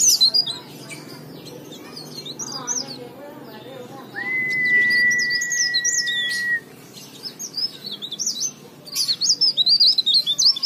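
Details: Leaf warbler used as a lure song to prompt silent or untrained leaf warblers to sing: rapid, thin, high chirps and twittering phrases, broken midway by one long steady whistled note, over a low hum.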